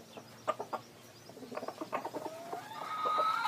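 A red junglefowl gives a run of short, soft clucks, then a drawn-out crow that starts low and climbs to a strained, rising note at the end.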